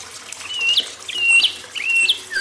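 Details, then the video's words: Imported white-rumped shama on a tutor recording made to spur young wild-caught birds into song: three long, clear whistled notes, each ending in a sharp upward flick, repeated about every two-thirds of a second over soft background hiss. "MURAI BATU IMPORT ~ MASTERAN TERAPI MURAI BATU AGAR LEBIH GACOR"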